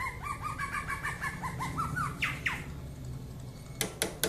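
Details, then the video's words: Aceh-type leafbird in frenzied 'mabok' singing: about a dozen rapid looping whistles rise in pitch, then two downward swoops. Silence follows, broken by three sharp cracks. "Kicau Cucak ijo 1/2 Mabok . Aceh"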